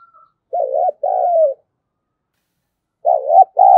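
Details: Spotted dove kept as a decoy, cooing to lure other doves: a wavering coo then a longer, slowly falling hoot, a pause, and the same soft two-part phrase repeated.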